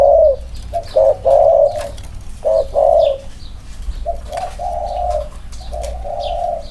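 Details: Spotted doves, two males compared for their close-range cooing play; loud low coos in short clustered phrases, then softer, longer answering coos from the second bird, with faint high chirps of other birds behind.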